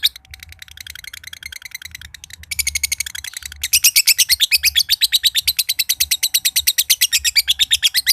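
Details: Green standard-colored (josan) lovebird, a prized contest bird from Mojokerto, delivering a long ngekek trill: a continuous, rapid, very high chattering buzz of evenly repeated notes, growing louder and denser midway, with other birds chiming in.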